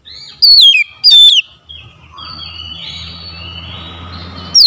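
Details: Oriental magpie-robin song used to get a reluctant, quiet bird to reply: two loud whistles gliding downward, followed by a stretch of faint, distant warbling over a low hum, then a final rising note.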